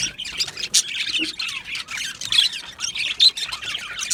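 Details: Australian budgies in a colony aviary give rapid, scratchy chirps and squawks, many voices layered into a restless high chatter with short louder bursts.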